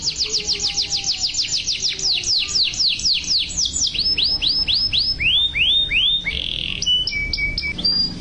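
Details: Yellow canary singing: long rapid series of down-slurred whistled notes, repeated about four times a second, shifting to lower slurs and ending with short flat whistles and a buzzy note.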